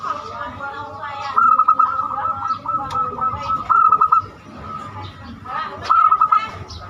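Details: Zebra dove singing banyumili style, used as a lure so other birds start singing: repeated quick rolling coo phrases a few seconds apart, over a persistent background tone.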